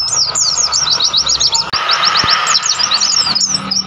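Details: Wild mountain white-eye singing in mountain nature on Mount Lawu, Tawangmangu: rapid strings of high, thin chirps, each note sliding downward, tumbling in busy twittering runs with a broad hiss of background noise.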